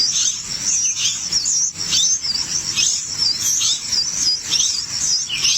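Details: Chicks in a nest begging at feeding time, dense very high-pitched wavering squeals and chirps overlapping without pause, loud and insistent.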